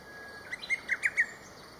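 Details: Lesser cuckoo calling loudly and far off in early morning at a local riverbank, 22 May 2023: one quick phrase of five or six sharp whistled notes, the middle ones strongest, over faint steady background hiss.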